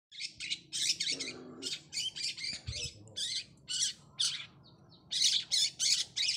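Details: Spotted-type long-tailed shrike ('cendet trotol') singing to seek an opponent: dense bursts of harsh, scratchy, buzzy chatter, high-pitched and fast, in irregular packets with short gaps, a brief lower nasal note near the start.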